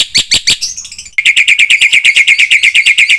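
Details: Black-winged myna master training song with varied fill-ins, meant to prompt other mynas to sing: three loud separate notes, a short pause, then a fast, steady chain of sharp chipping notes.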